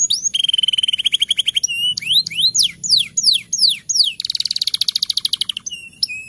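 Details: Canary singing a ngeroll rolling song to stimulate lazy canaries in the rainy season. A long rapid trill runs into upslurred and downswept notes, then a dense buzzy trill and a pair of clear whistles at the end.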